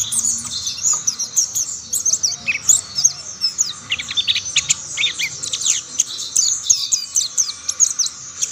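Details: Mountain white-eyes singing together as others join in; bright, high-pitched rapid chirps and slurred whistles tumbling continuously in short runs, clean with little background noise.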